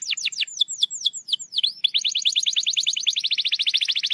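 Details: Canary song used to coax a reluctant canary to sing: a run of downward-sweeping whistled notes giving way to a long, rapid, even trill that holds steady to the end.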